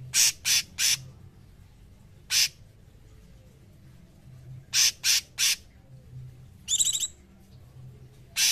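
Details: Cungkok singing for masteran training: scattered short, harsh, high bursts in groups of three, separated by pauses, with one brief trilled rattle near the end over faint low hum.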